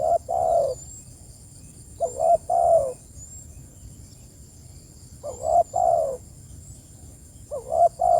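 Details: Spotted dove calling its companions: low, soft cooing phrases of two to three notes, each phrase followed by a pause of about two seconds, over a faint background hum.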